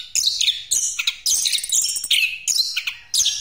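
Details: Rolling song of an Orange-headed thrush used to lure other birds: dense, high, scratchy warbling mixed with whistled notes, delivered in bursts of around half a second.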